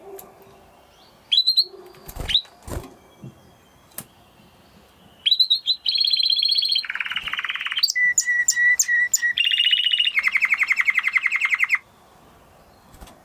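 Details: Spanish Timbrado canary, a breed close to the wild canary: scattered sharp chips and clicks give way to long buzzy, rattling trills at varied pitches, held for several seconds before silence.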